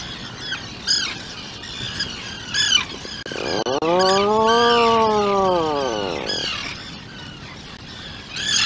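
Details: Inside a burrow on Seal Island, Atlantic puffin parents with their two-day-old chick: sharp high squawks recurring every second or two around a loud, low, rising-then-falling groan held about three seconds, over steady outdoor colony noise.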